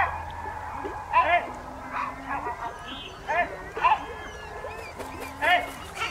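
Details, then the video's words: Great black-backed gull (Larus marinus) giving loud, harsh, wailing calls in short bursts, about five spread over six seconds, with quieter lower calls and background bird noise between them. "Merilokki - Larus marinus - Great Black-backed Gull - havstrut"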